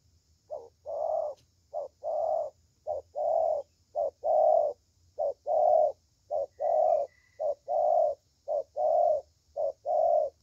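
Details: Spotted dove, described as a good-voiced thổ tơ bird, giving low hollow coos in pairs, a short note then a longer one, repeated steadily about once a second over quiet background hum.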